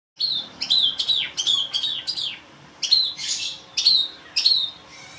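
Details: Long-tailed shrike song made of high, sharp chirps and rasping notes in quick bursts, about two per second with short pauses between groups.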